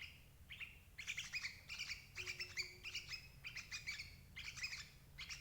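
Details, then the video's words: Sooty-headed bulbul used as a trapping lure for adult birds, uttering dense clusters of buzzy, ringing chirps in bursts, with a short faint hum midway and low noise below. "suara burung crucuk ampuh jebak indukan"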